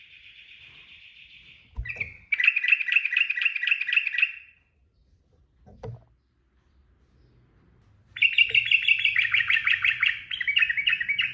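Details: Sooty-headed bulbul in the fast ropel singing style: bursts of quick, high chattering notes, a pause with a brief knock and soft rumbling, then a dense run of rapid slurred notes.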